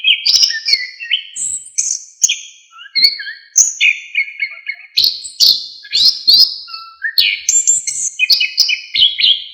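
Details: Orange-headed thrush (anis kembang) delivers a rich master song for tutoring songbirds: sharp high whistles and fast slurred phrases in close succession, with clicks and short trills running throughout.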